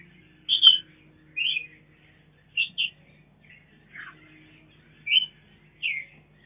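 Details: Captive mutant mountain red-whiskered bulbul feeding its young on a farm; six clear, separate whistled chirps, some slurred or falling, spaced roughly a second apart over a faint low hum.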